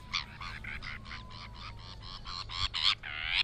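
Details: Sabine's gull producing a rapid run of short, rasping, slightly tonal notes, about two per second, growing louder and harsher toward the end, with a faint low hum behind.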